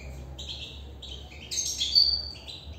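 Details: European goldfinch singing from inside a cage, a run of short high twittering and buzzy notes that swell louder midway, over a faint steady low hum.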